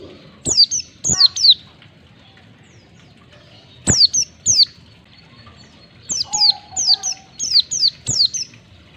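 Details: White-eye calls used to get caged white-eyes singing ngalas. Quick groups of sharp, high, downslurred chirps separated by pauses, ending in a rapid series of six, with a short low whistle in the background.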